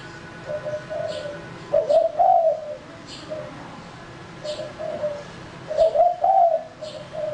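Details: Male spotted dove used to lure birds, softer coos opening, then two louder rolling double-coo phrases each ending in quiet trailing notes, with faint clicks in the background.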